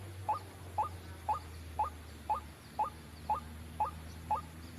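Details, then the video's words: White-breasted waterhen call used as a trapping lure: short, rising, slightly nasal notes repeated steadily about twice per second, each note alike, over a low constant hum. "suara pikat burung ruak ruak"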